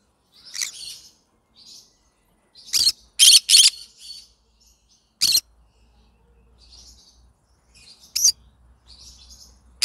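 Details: Yellow-sided green-cheeked conure singing in irregular bursts: brief scratchy chirps, a loud cluster of three harsh squawks, a single sharp screech, then softer chatter.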